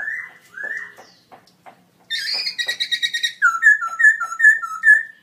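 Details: Caged black-throated laughingthrush (Garrulax chinensis), a gold award winner at a birdsong contest in October 2016, singing very loudly: two slurred whistles, a burst of harsh rattling chatter, then a run of clear, bouncing whistled notes.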